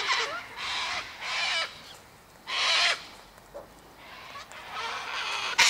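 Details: Sulphur-crested cockatoos feeding at a daily seed spread of sunflower, wheat and birdseed by an eastern gate, giving separate raucous, rasping screeches of about half a second to a second, with quiet pauses between.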